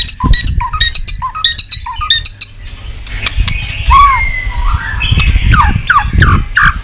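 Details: White-rumped shama, stimulated to sing while flicking its tail, starting with sharp clicks paired with short whistled notes in quick repeated groups, then swooping whistles and high bright phrases over low knocking.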